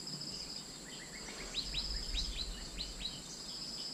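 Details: Asian fairy-bluebird call for luring birds: a short sequence of sharp rising whistles, gaining strength midway, against a continuous thin high hum.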